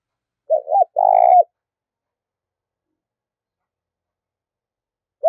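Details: Handsome decoy spotted dove, kept to lure wild doves, cooing vigorously: two short low hollow notes, then a longer buzzy coo. A further note begins after about four seconds of silence.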